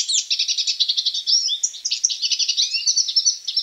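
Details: Continuous song of a hooded siskin: lively, high-pitched twitters and quick trills rattled off in a steady stream, with a few longer sliding whistles mixed in, clear and close with a silent background.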